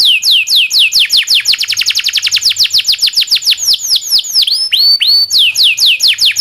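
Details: Local canary singing its long rolling song, used as a tutor for other songbirds; fast series of down-slurred whistles quickening to a trill, then a few long swooping notes before resuming.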